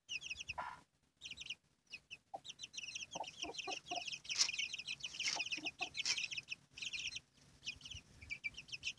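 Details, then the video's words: Hen chicken and her chicks: many chicks keep up rapid, shrill, falling peeps with short pauses, while the hen adds soft low clucks scattered through the middle. "la gallina y sus pollitos"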